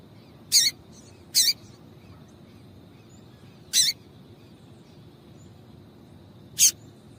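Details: Female double-collared seedeater calls, used to stir males into singing: four short, very high chips spaced irregularly about one to three seconds apart over a steady low background hiss.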